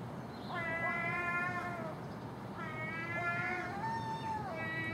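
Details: Common gull near a house in the early morning, feeding with a magpie and a crow on garbage put out overnight; three long, drawn-out, nasal mewing calls, each held over a second, against a steady background hum.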